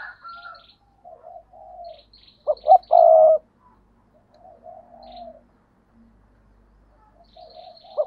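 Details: Spotted dove used as a decoy, giving soft low coos, then one loud phrase of two brief notes and a long rolling coo, followed by more quiet cooing; faint high chirps of other birds behind.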